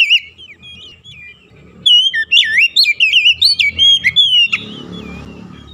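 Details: Oriental magpie-robin song aimed at stimulating caged birds, soft twittering at first, then a loud string of quick looping whistled notes, ending in a broad hiss with low background hum.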